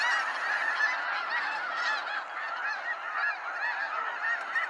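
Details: Snow geese in waves at a sunset fly-out at Sacramento National Wildlife Refuge: a dense, unbroken chorus of overlapping nasal honks and yelps from a large flock, with countless voices layered continuously.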